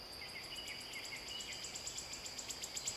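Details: Wood warbler song: high, thin notes come faster and louder toward the end, building into a trill over a steady background hum and faint lower chirps.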